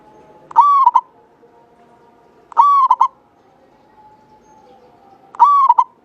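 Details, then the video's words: {'caption': 'Zebra dove from Java giving its long, pure cooing song used to stimulate other birds: three evenly spaced phrases about every 2.5 seconds, each a held tone ending in quick stuttered notes.'} "Perkutut lokal jawa gacor buat pancingan suara panjang bening"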